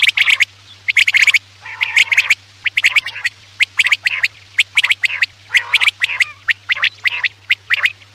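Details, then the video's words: Quail sounds used to lure birds for a night hunt: dense runs of scratchy, buzzy bursts and thin high whistles, coming almost nonstop at an uneven pace. "Batair ki awaz raat k liye|batair ki awaz shikar k liye"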